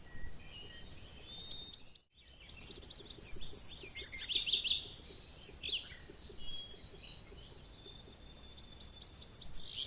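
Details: Tennessee warbler (Leiothlypis peregrina) singing a fast, very high series of sharp, dry chips that speeds into a ringing trill, repeated twice; softer chirps from other birds behind.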